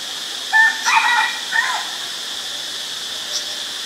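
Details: Malaysian pied fantail, a very common resident, recorded 18 March 2021 in Ubon Ratchathani, Thailand: a brief burst of clear whistled notes, some steady and some slurring downward, grouped within about a second, over constant hiss.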